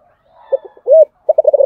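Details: Spotted dove cooing in the 'giọng thổ' style: soft muffled notes, then a loud arched coo, followed by a quick run of pulsed coo notes cut off at the end.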